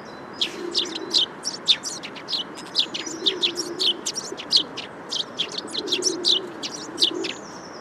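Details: Chattering Eurasian tree sparrows: dense, rapid series of sharp high chirps and tweets with a few drawn-out buzzy notes, and a faint cooing of doves low in the background.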